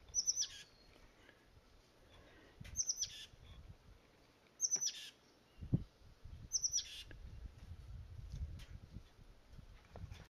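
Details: Oak titmouse (Baeolophus inornatus) in a valley oak at a nursery: four call bursts, each a quick run of thin high notes sliding into a harsh buzzy chatter, about every two seconds, over low wind rumble.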